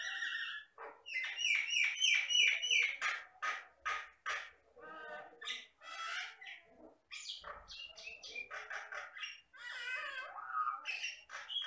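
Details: Jalak Batam myna in lively, sustained song: a dense, rapid medley of rattling chatter, squeaky whistles, harsh squawks and warbled phrases, pouring out almost without pause.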